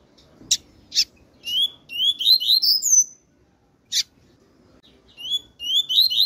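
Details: Calls of a female double-collared seedeater: bright, high slurred whistles delivered in clustered bursts, with loud dry clicks between them and faint low background noise.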